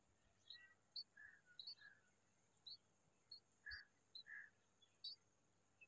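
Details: Bulbul and her babies sitting together; scattered sharp high tweets interleaved with a few fuller, rounder mid-pitched chirps, irregularly spaced, over a quiet steady background tone.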